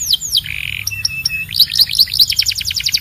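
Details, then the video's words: Belgian canary song mixing downward sweeps, a buzzy rattle, short clipped notes and a quick series of bright descending notes. "Don’t Play This Near Your Belgian Canary… It Might Sing Non-Stop"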